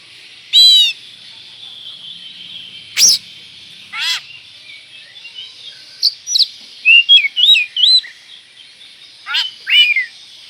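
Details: Oriental magpie-robin lure song for goading another magpie-robin: scattered harsh rasps and sharp clicks, a central burst of quick twisting whistles, then two more rasping notes, against a faint hiss.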